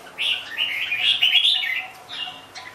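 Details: A single sustained red-whiskered bulbul phrase of fluid, rolling warbles, followed by a softer trailing note.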